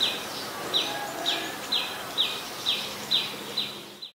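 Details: Adult common tailorbird, a common resident, at Ubon Ratchathani, Thailand, in February: sharp high notes repeated about every half second in an even series over steady hiss.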